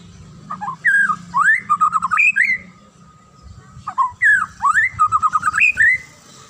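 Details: Murai batu, the White-rumped shama, in morning song said to make other shamas sing; the same fluting phrase, a swooping whistle, a quick run of repeated notes and a final slide, is given twice about three seconds apart.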